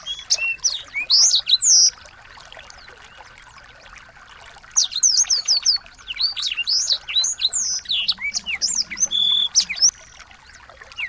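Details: Small birds' song meant as tutoring material to get a white-rumped shama singing: a burst of sharp, high chirps and whistled slurs, then a quiet stretch, then a longer fast volley of clipped notes.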